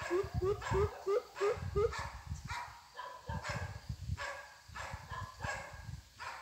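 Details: Greater coucal kept as a decoy for trapping, a young bird in training: six quick, deep hoots at the start, then harsh broadband notes repeated over steady low rumbling noise.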